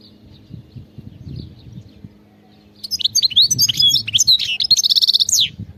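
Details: Wild goldfinch breaking into song after quiet faint chirps: a fast, bright tumbling warble of high twitters and a buzzy trilled passage lasting nearly three seconds.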